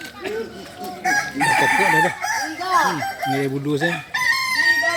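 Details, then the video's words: Crowing performance training of a Kukuak Balenggek chicken, the native singing chicken of Solok: several loud bursts of arched, stepped crow syllables, separated by short gaps, with lower clucking-like notes between them. "Latihan prestasi Ayam kukuak balenggek ayam penyanyi asli Solok"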